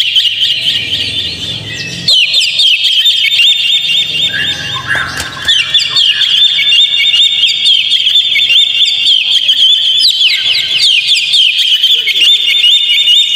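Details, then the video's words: Oriental magpie-robin lure song to make a kept bird sing nonstop: quieter scattered chirps for two seconds, then a loud dense rush of twisting whistles and trills, swelling again near ten seconds. "PANCING KACER PLAY ON"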